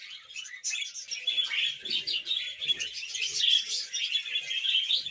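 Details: Continuous high warbling from a flock of pet budgerigars, a steady stream of chirps, clicks and squeaky trills with few gaps, quiet low thumps in the background.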